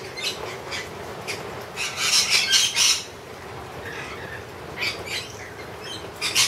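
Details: Wild lorikeets being hand-fed honey give bursts of harsh, grating screeches, loudest in a cluster around the middle, with shorter squawks scattered before and after over a low background hiss.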